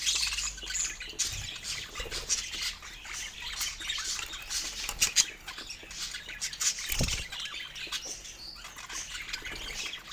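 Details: Several pet budgerigars eating fruit, giving dense high chirps and scratchy warbles mixed with wing flaps and sharp clicks, with a louder thump near the seventh second.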